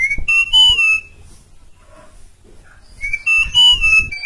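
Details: An Asian pied starling (Sturnus contra) gives two bursts of loud, clear whistles, high sliding notes over lower fluting ones, separated by a short quiet gap.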